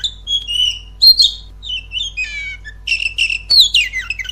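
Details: Kept Oriental magpie-robin singing as a lure to spur another caged bird into louder song: clear drawn-out whistles, then descending trilled runs and dense scratchy, chattering bursts in a varied, fast-changing sequence.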